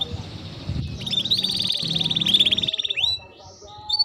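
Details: Canary training song: a rapid buzzy trill rising slightly and holding steady for about two seconds, over low background murmur, followed by a short whistled slur.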